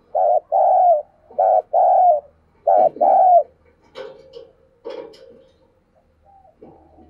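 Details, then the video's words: Decoy dove luring wild doves with three repeated two-note coos, a short note then a longer one, followed by quieter scuffling and clicking sounds. "Chim Cu Mồi Thúc Gù Và GÁY Gọi Bổi Nghe Siêng Gáy"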